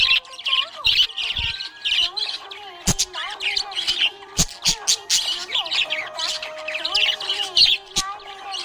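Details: A happy budgerigar keeps up rapid chirping, with quick high tweets and warbled phrases in bursts, broken by several sharp clicks, while steady tones hum underneath.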